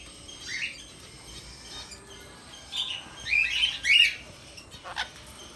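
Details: Sun conure giving a few short, rising chirps and squeaky calls spaced irregularly over several seconds, with a brief louder burst near the end; background otherwise quiet.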